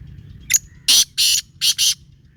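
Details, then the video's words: A Black francolin gives a brief creaky note, then four loud, harsh, buzzy bursts in a quick uneven rhythm, standing out against soft low rumble. "کالا تیتر کی آواز"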